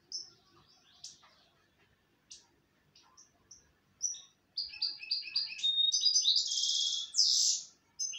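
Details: European goldfinch song: sparse high chirps and short notes at first, then from midway a dense, rapid run of liquid twittering and buzzy trills that grows louder toward the end.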